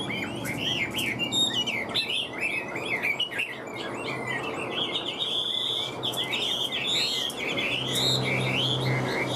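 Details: Caged hwamei singing a long, continuous run of fluid whistled phrases and fast twittering trills, varied and loud, over a low background rumble.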